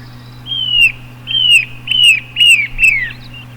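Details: Narrow-billed woodcreeper (Lepidocolaptes angustirostris), song.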